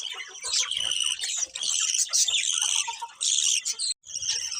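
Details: Beautiful colourful budgies chirping: a continuous high, busy twitter of overlapping warbles and squeaky notes, briefly dropping out near the end before resuming.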